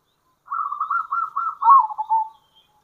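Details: Local zebra dove, kerot and bekur call for luring other zebra doves; a single sustained phrase of evenly spaced soft rolled notes, swelling louder near its end before fading with a gentle trill.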